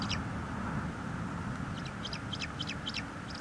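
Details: Bald eagle nest in northeast Florida, 23 March 2022, live cam, while two eaglets eat a large fish brought by a parent. Short high squeaky chips come in loose pairs and clusters, with constant low wind noise beneath.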